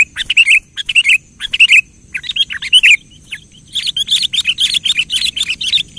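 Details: Energetic kutilang singing meant to provoke a quiet kutilang: repeated bubbly chirp phrases roughly every half second, a brief lull, then a busier, denser run of overlapping chirps.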